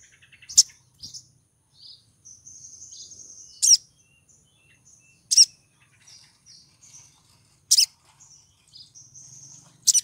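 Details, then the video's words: Female sogon in breeding condition calling to lure a male: sharp, loud high chips at irregular intervals between thin, buzzy high twitters and short whistled notes, with a faint low hum beneath. "PANGGILAN SOGON BETINA BIRAHI MEMIKAT SOGON JANTAN"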